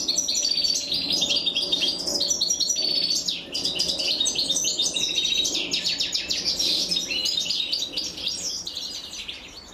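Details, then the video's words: Female European goldfinch feeding her young while the chicks beg in a dense, unbroken chorus of high, buzzy chirps that crowd together for nearly ten seconds, then fade slightly at the close. "أنثى الحسون وهي تطعم فراخها"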